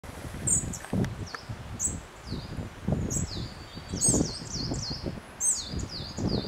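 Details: Spotted flycatcher singing at Hardcastle Crags: thin, very high, squeaky notes, often slurring downward, spaced about a second apart, over a low rumble of wind.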